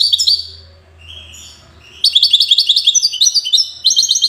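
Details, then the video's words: European goldfinch of the Widani song type, from Safi, Morocco. After a few high twittering notes and a quiet pause, fast bright tinkling trills burst out in rapid repeated phrases, interrupted by short breaks. "حسون ويداني"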